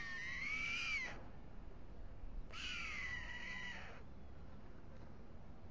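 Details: White stork at a nest on Alcalá de Henares town hall tower, Spain, at dusk as the male feeds two chicks before migration: two drawn-out, nasal, cat-like mewing calls about a second apart over low rumble.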